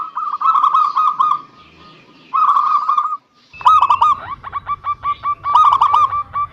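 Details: Local zebra dove song used as a lure recording to prompt reluctant doves to sing: bursts of clipped cooing notes run into longer rolling phrases, with a second overlapping bird adding fast staccato notes and a steady low hum behind.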